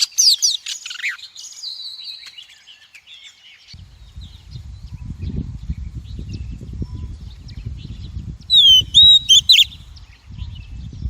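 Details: Female Oriental magpie-robin call for stimulating males, training their voices and trapping: an opening flurry of high whistles and chirps, then a long stretch of low rumbling noise broken by a brief cluster of sharp whistled notes.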